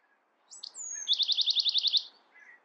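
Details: Bewick's wren singing: a couple of short high notes, a thin descending whistle, then a fast regular trill of about nine buzzy repeated notes near the top of its range, over a quiet background.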